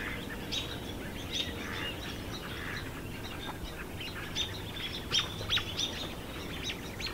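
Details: Winter pond at George C Reifel Migratory Bird Sanctuary, Delta, BC, Canada, 31 December 2018: a crowd of ducks squabbling beneath an eagle's perch, giving many short chirpy and whistled notes, some sharp and loud, over constant low background noise.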